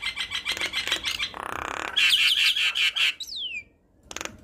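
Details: Javan myna in full song, recorded for tutoring young birds: quick clicking notes, a grating buzz, then a string of bright chattering whistles ending in one long falling whistle and a final click.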